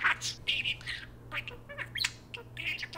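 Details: Two pet parakeets take turns talking to a spoon: a dense run of quick chirpy, warbling notes, some buzzy and others whistled, pouring out with barely a pause and a faint steady hum underneath.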